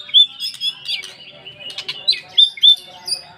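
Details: Oriental magpie-robin lure song in 'poci' style to prompt other magpie-robins to sing: brief burst of sharp whistled notes mixed with scratchy, buzzy chatter, phrases irregular and quick.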